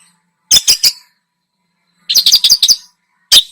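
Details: Long-tailed shrike singing as a lure recording to stir other birds: a quick burst of three sharp, high scratchy notes, a pause, then a chattering rattle of about seven harsh notes and one final squeak.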